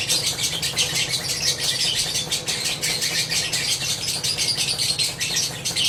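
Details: A lovebird pours out a long 'ngekek' run of shrill, rapid chattering squeaks, several bursts each second, in an unbroken stream over a faint low steady hum.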